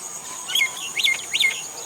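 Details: Common myna in India uttering three arched, chirping notes that rise then fall, each followed by a short lower whistle, against a steady high insect drone.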